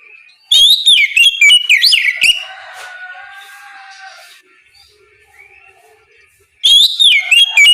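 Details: Morning ngeplong song of an Oriental magpie-robin, meant to lure other magpie-robins into answering: two loud bursts of quick, varied whistles and slurred notes separated by several seconds of quiet, faint background sound.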